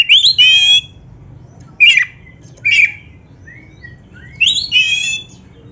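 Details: Oriental magpie-robin (kacer) song for training caged birds to sing: separate short phrases of rich whistled and squawky notes, each about half a second, spaced by pauses over a quiet low hum.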